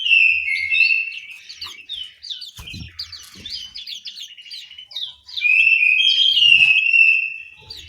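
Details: Orange-headed thrush singing in an aviary in Malang, East Java: a loud, varied warbling run of whistled and scratchy notes, a quieter stretch of twittering in the middle, then another strong whistled phrase with a few faint low knocks.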